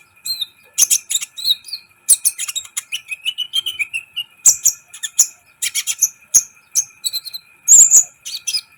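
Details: Sunbird (kolibri ninja) singing energetically, meant to excite other birds quickly; continuous high chirps and twitters mixed with short descending whistled notes and scratchy bursts.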